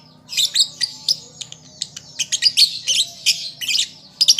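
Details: Lovebird chick learning to sing, a recording for drawing out other birds: continuous squeaky chattering with sharp clicks and thin whistled notes above a faint low hum.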